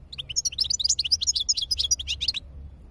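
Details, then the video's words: High-level European goldfinch song from 2022, a rapid liquid twitter of high, clipped chirps and short trills, continuous for over two seconds, then stopping, with a soft low background hum. "تغريد الحسون عالي المستوا"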